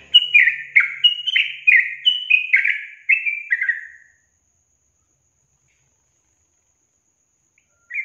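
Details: Whistled sooty-headed bulbul song used to provoke caged young birds that rarely sing: a rapid four-second run of bright, downward-sweeping notes, then silence until one final note.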